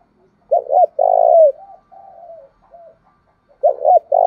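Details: Spotted dove decoy whose call prompts wild birds to coo in reply: a doubled note and sustained throaty coo, then a string of soft falling murmurs, before the next phrase begins.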